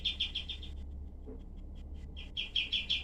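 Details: Kapas tembak, the cream-vented bulbul, in rough, sharply shot tutor song: a quick run of harsh chirps fading out, scattered faint notes during a pause, then another fast volley of clipped, buzzy notes.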